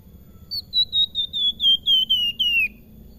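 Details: Melodious flute-like song of a salakan: a rapid string of about nine pure whistled notes descending gradually in pitch, ending with a downward slur, over soft low hum.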